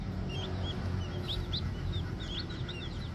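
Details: Brief bout of high, slurred peeps from young green junglefowl chicks, scattered and overlapping, over a strong low hum.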